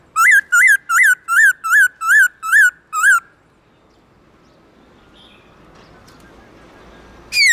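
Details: Black-throated laughingthrush singing its forest-style song in the morning, loud and long: eight clear whistled notes, each rising then falling, repeated about every 0.4 seconds, then near silence before a final sharp whistle.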